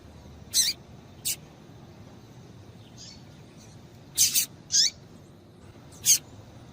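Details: Female double-collared seedeater calling to stimulate a male to sing: short, sharp, high chipping notes, partly rasping, given singly or in close pairs at irregular gaps, six notes over about seven seconds, with faint softer notes between.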